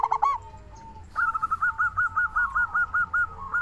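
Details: Local zebra dove used to coax other doves into calling: a brief stuttering burst, a pause, then a steady run of about a dozen evenly spaced soft, rolling coos at one pitch.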